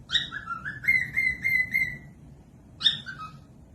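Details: Tutoring song from a cockatiel for birds that rarely sing: whistled notes that rise, then a held, slightly rising whistle repeated several times, a pause, and a final falling phrase.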